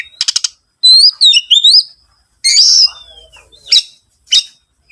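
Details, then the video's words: Oriental magpie-robin sounds used as a lure to make other birds sing. Harsh rattling bursts frame a short run of bright looping whistles, followed by scratchy notes and a thin drawn-out whistle. "PANCINGAN SUARA BURUNG KACER//ISIAN ISTIMEWA SUPER GACOR BIRUNG KACER"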